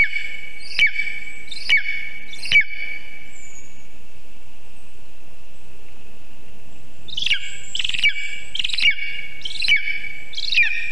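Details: On a nest camera in Zemgale at 9:24 am, 19 August 2023, a Lesser spotted eagle receiving a vole at its birch nest utters three sharp, clipped calls, then after a pause a quicker run of six harsh yelps.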